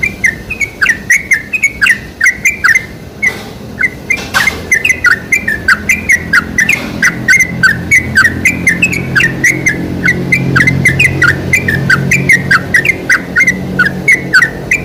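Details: Sooty-headed bulbul song played as a lure to get other bulbuls singing: rapid, bubbly chattering phrases of short warbled notes that rise and fall, poured out almost without pause over a steady low hum.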